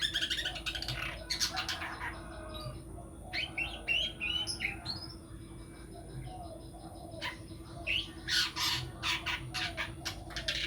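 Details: Long-tailed shrike, promoted as a potential contest champion, giving harsh squawky bursts and buzzy chatters broken by brief silences, with louder scratchy clusters near the start and end, a constant low hum underneath.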